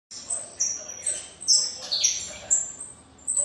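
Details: Saffron finch singing, a handful of thin, high chirps scattered irregularly over a few seconds, fairly soft against a quiet background.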